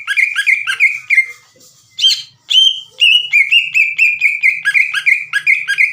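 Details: Lure song of a vocal green leafbird, meant to stir rival leafbirds into calling: a string of bright, falling whistled notes, a brief jumble of rougher notes, then steady rapid whistles that keep going.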